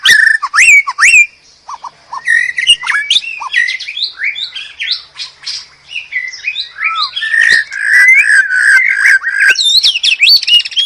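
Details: White-rumped shama singing hard 'gacor' master song: a restless stream of whistles, warbles and harsh squawky notes, varied from phrase to phrase with hardly a pause.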